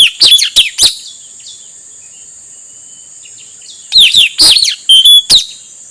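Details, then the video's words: Male puling (nuri tanau) song, used as a lure for wild birds: a quick burst of loud, steeply falling whistled notes, then a long pause and a second burst ending in a short level whistle, over a constant high hiss. "Suara burung puling atau nuritanau jantan, untuk pancingan nuritanau liar."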